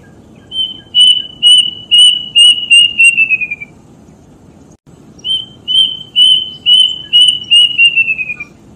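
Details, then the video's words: Plaintive cuckoo (Cacomantis merulinus), a bird of rural villages named for its mournful voice, gives two runs of about eight quick, high whistled notes, sliding lower toward the end of each run, over a soft low rumble. "Suara Burung Kedasih"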